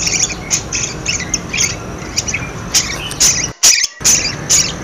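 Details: Budgerigar calls used to prompt silent budgerigars: soft twittering and scratchy chirps, a brief dropout, then a few louder squawks near the end.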